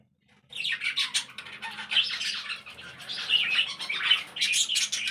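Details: Caged budgerigars in a breeding aviary also housing cockatiels, lovebirds and finches: continuous high, scratchy warbling with mixed chirps and squawks, starting abruptly after brief silence and running without pause.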